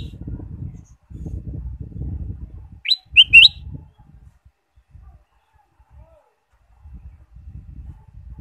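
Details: Caged ruby-throated bulbul singing to stimulate other birds: one short burst of three quick, bright whistled notes in the middle, framed by stretches of low murmuring background noise.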